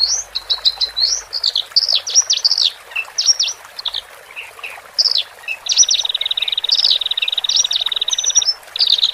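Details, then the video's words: Horsfield's bush larks, male and female, singing for newly separated caged birds to settle: scattered high chirps and slurred notes, then a sustained buzzy trill with sharp accents. "Pancingan Branjangan Jantan Dan Betina"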